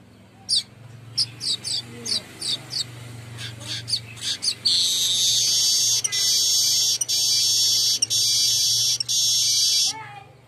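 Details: Golden-headed weaver lure sound meant to get birds singing. It opens with a run of short, high chirps, then breaks into a long, loud, hissing buzz that keeps going with a few brief gaps.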